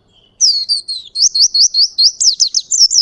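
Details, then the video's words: Oriental white-eye of the ngalas type in lively 'ngerol' song: after a faint thin whistle, a loud fast series of about fifteen high, rising-and-falling chirps in quick rhythm. "Pleci Ngalas Gacor Ngerol Durasi Panjang"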